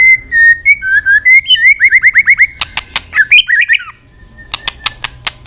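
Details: White-rumped shama singing a stimulating fighting song: clear whistled notes near one pitch, then a fast run of rising slurred whistles, a jumbled buzzy phrase, and sharp clicking tak notes at the end.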